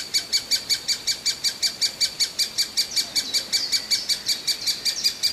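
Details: A constantly hungry great spotted woodpecker nestling calls for food with piercing high chirps, evenly spaced at nearly three per second, very regular and unbroken throughout.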